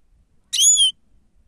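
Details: Grey-crowned goldfinch used as a lure: one loud, pure whistled note, slightly arching then falling, lasting under half a second, with no other sounds around it.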